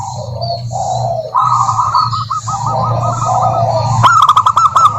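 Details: Calling of a female local zebra dove toward a rival: wavering low coos, then a rolling pulsed trill and a closing run of crisp clipped notes over a steady low droning hum.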